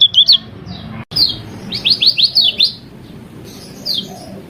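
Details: Lemon-bellied white-eye in a training recording of varied song: a quick burst of high twittering notes, a pause, then a run of five or six sharp downslurred chirps and a later soft high phrase over low background hum.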